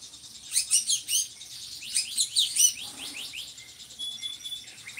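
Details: Drongo in a lively singing bout, a bird kept as a tutor for other songbirds: bursts of high, sharp chirps and short downslurred notes in quick clusters, pausing, then resuming, with a faint steady high whistle near the end.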